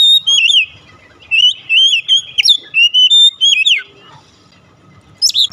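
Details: Oriental magpie-robin song used to coax house-kept birds into full voice: a long, loud string of rich warbled whistles with wavering pitch, falling slurs, a quiet gap, then sharp high notes.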